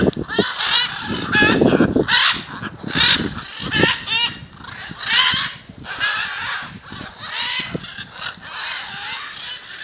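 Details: Several macaws gathered before a house in Jaumave, Tamaulipas, February 2015, trade loud, wavering, nasal squawks roughly once or twice a second, irregularly spaced, with some low rumbling early on.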